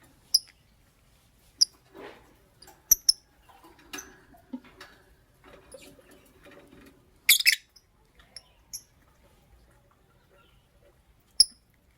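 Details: Lovebirds, a green Fischer's and a pastel blue, kept as pets, calling in the morning: scattered thin, high, clicking chirps spaced irregularly, one louder harsh squawk burst near the middle, faint shuffling noises in between.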